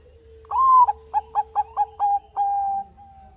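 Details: Bangkok-type zebra dove in full song, meant to prompt lazy doves to sing: a long opening coo, six short bouncing hoots, then a long level closing note over a soft low hum.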